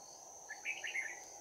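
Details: Fighting song of a red-whiskered bulbul, 'bell voice' style, recorded while trapping on 11 January 2019: a brief burst of clear, liquid, chortling whistles in quick succession, with a constant shrill insect hum behind.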